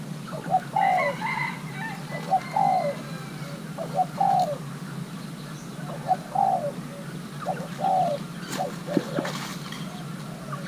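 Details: Young male Thai-hybrid spotted dove being paired with a mate, in its playing style: mid-pitched cooing phrases with a short lead-in note and a drawn-out falling coo, repeated about every two seconds; faint chirps from other birds behind.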